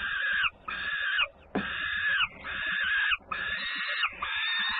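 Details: At a Włocławek, Poland peregrine falcon nest, 3 June 2010, feeding time with a sibling returning loudly; grating, drawn-out wailing screams repeat roughly once a second, with a short knock partway through.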